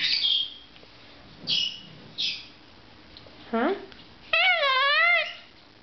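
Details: Pet Goffin's cockatoo saying "hello there" indoors, with short raspy calls spaced about a second apart and then a wavering, warbled whistle-like phrase.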